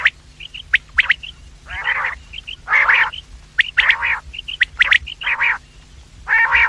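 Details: Quails heard in the morning and evening, for luring quails: quick high chip pairs mixed with repeated coarse, buzzy bursts, about one sound a second.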